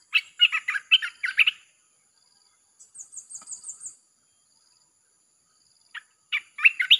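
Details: Red-whiskered bulbul song in a nonstop 'sap' (chopping) style, played to lure wild birds: bursts of short, rapid warbled notes, a pause with a thin, high, fast trill, then more loud clipped phrases.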